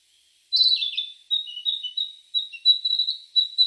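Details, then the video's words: Unidentified bird calling: a burst of high chattering notes, then long, thin, high whistles, some steady and some wavering, in phrases about a second long, in a clean, quiet recording. "burung apa ini ?"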